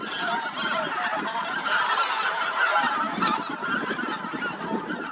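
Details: A winter flock of Taiga Bean Geese at a reservoir in Cheorwon, South Korea, startled by a white-tailed eagle, bursts into loud, overlapping nasal honks, a continuous clamour of many birds calling at once as they take off.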